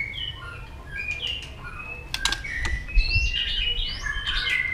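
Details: White-rumped shama singing a fighting song to provoke a rival. Thin sustained whistles and upslurred notes are mixed with sharp clicks, over a steady low rumble of background noise.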